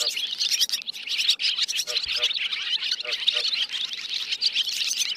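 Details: Roosting calls of swiftlets, played to draw the birds into nets. Many birds twitter at once in a steady, high-pitched chattering mass of quick chirps that never falls silent.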